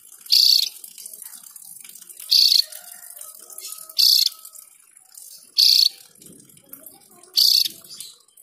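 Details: Long rolling song of a Javan grey-throated white-eye in full voice: five rasping, rattling high-pitched bursts, each under half a second, spaced one to two seconds apart, with faint low murmurs between.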